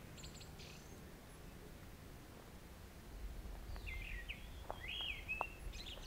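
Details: Grey-winged blackbird calling in a western Himalayan forest during the summer monsoon, near flowering torch lilies. A quiet start gives way to a loud, falling, whistled phrase with buzzy notes, then a few short chirps.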